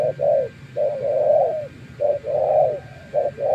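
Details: Spotted dove from Gia Lai, Vietnam, a wild bird calling back to a decoy; mellow, hollow cooing phrases with short clipped notes between longer rolling coos, repeated steadily and loud against a low rumbling hum.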